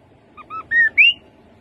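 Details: Rufous-capped babbler phrase of clear whistles: two short notes, a longer flat whistle, then a bright upward-sweeping note that ends the sequence within about a second.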